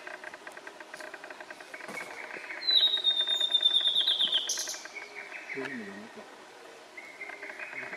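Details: Male blue-and-white flycatcher, Morito River, Kanagawa Prefecture, Japan, 18 June 2021, giving a long bright whistled phrase that descends gradually and breaks into a rapid pulsed trill, set against continuous faint chirping and a brief low wavering sound.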